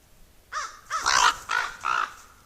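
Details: A crow gives four harsh, hoarse, nasal caws about half a second apart while a squirrel goes after a raven nearby.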